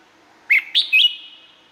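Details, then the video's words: Red-whiskered bulbul from Thailand singing one quick phrase of three bright, slurred whistled notes, followed by a lingering echoing tail. "เสียงนกกรงหัวจุก สำหรับต่อ หรือ เปิดให้นกคึก เสียงเพราะๆ"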